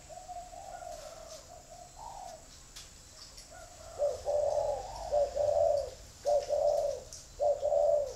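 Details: Spotted dove calling with gentle hooted notes that start soft, then turn into loud, rich, evenly spaced coos repeated roughly every second toward the end; quiet room background.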